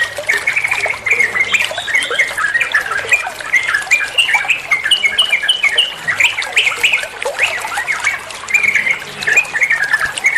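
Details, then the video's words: Olive-winged bulbul song used as training material for other songbirds: dense, chattering run of quick whistled and warbled notes, mostly mid-high, rising and falling without pause, with a faint low hum in the background. "Masteran trucuan muantaaap, (burung trucuan anda pasti nyaut)"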